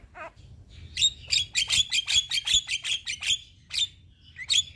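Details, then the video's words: A young Javan myna sings to train other birds: one low squeaky note, then a fast, fairly steady series of sharp, bright chips, about two to three per second, ending in two separated harsh chirps. "Jalak Kebo Muda Gacor Untuk Masteran Dan Pancingan Semua Jenis Burung Jalak"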